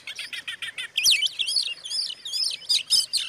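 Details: Oriental magpie-robin song played as a lure to provoke rival magpie-robins: a rapid run of repeated buzzy chirps, then loud, varied whistled phrases sweeping up and down, rich and continuous.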